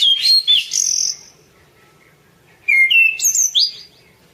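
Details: Orange-banded thrush singing, used as tutor song: quick bright whistled notes swooping up and down, a pause, then a second burst of rising whistles and high chirps, over a quiet background.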